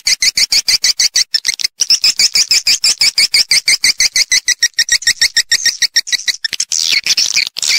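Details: Swiftlet attraction sound for bird-nest farming: a long, steady train of high, clicking chirps, about three per second, ending in a blurred burst of overlapping twittering.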